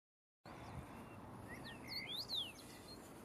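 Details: A common rosefinch at Katwijk aan Zee, Netherlands, on 29 May 2015 sings a short phrase of clear, slurred whistles that rise and fall, over a soft, steady background hiss.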